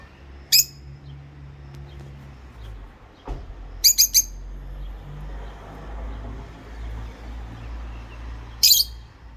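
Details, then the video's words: Two rosy-faced lovebirds singing and chirping: three bursts of shrill, piercing chirps spaced a few seconds apart, the middle one a quick triple, over a low steady hum. "Love Bird Singing And Chirping Sound// Rosy Faced Love Bird"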